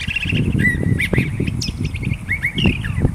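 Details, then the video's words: Curve-billed Thrasher song of quick slurred whistles and short trilled notes, with a dull rumbling noise underneath. "Curve Billed Thrasher song"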